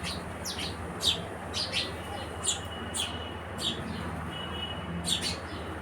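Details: House sparrow calling with clipped, descending chirps, singly and in pairs, against a low steady hum.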